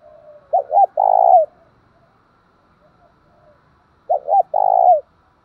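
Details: Decoy spotted dove, kept to draw in wild birds, calling in the 'thổ đồng' style: two phrases about three and a half seconds apart, each two quick clipped coos then a drawn-out resonant coo ending in a downward slide; quiet background.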